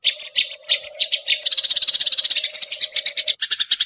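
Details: Eurasian tree sparrows in a long lure recording used to call birds in, giving dense, overlapping high chirps in quick succession, about three per second, growing busier midway, over a steady low hum.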